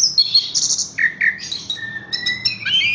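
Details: Horsfield's bush lark in a cage, hung up without prior conditioning, singing high thin whistles, two short lower chirps, then a long level whistled note joined by rapid high-pitched trills.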